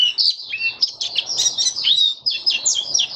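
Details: Open song of a kept white-eye in warm humid weather, 23 March 2022: a dense, scratchy jumble of high chirps and short whistled slurs, some notes dipping lower, delivered in quick bursts.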